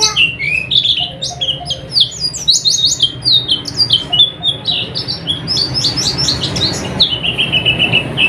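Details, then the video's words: Oriental white-eye song for night-time tutoring of caged birds: energetic, rapid high twittering of slurred chirps and squeaky notes, finishing with a repeated run of short buzzy chips, low hum beneath. "suara burung pleci untuk terapi di malam hari agar cepat buka paruh dan rajin gacor"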